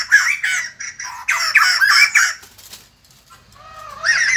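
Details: White-crested laughingthrush song at daybreak: two runs of loud, harsh cackling bursts, a brief near-silent pause, then a softer rising whistle that swells into renewed chatter.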